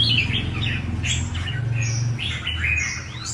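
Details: Red-whiskered bulbul singing, a recording meant to stir other bulbuls into song: quick bright chirped and whistled phrases, rising and falling, packed densely together over a steady low humming drone.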